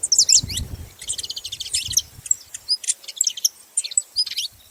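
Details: Several saffron finches chatter in a dense mix of high trills, chirps and quick slurs, over low rumbling noise in the opening two seconds.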